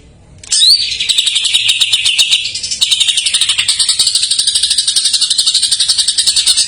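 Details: Greater green leafbird song used as a lure for silent or young birds: a dense, continuous run of buzzy, rapidly pulsed notes between high and very high pitch, with a sharp rising whistle near the start.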